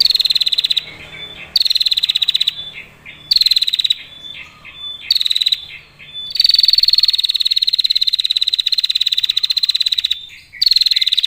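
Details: Female prinia giving long, clear trills that lure other prinias to sing and fight. Several rapid high ticking bursts with short gaps, then one sustained trill lasting about three and a half seconds.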